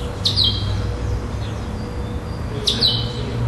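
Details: Chestnut-bellied seed finch, a caged tournament bird placed second at a singing contest in Florianópolis, Santa Catarina, Brazil, on 11 December 2011, singing the classic 'preto clássico' style without repetition: two sharp, high, downward-swept whistled notes about 2.4 seconds apart over a steady low hum.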